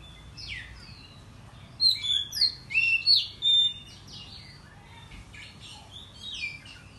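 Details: Oriental magpie-robin (kacer) in agitated morning song, tail spread. Quiet chirps, then a loud run of six strong whistled bursts, followed by softer scattered chirps.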